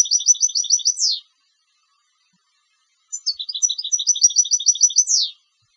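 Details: Competition-class European goldfinch singing two similar phrases of even, rapid high twitters, each closed by a falling slurred note, separated by roughly two seconds of silence.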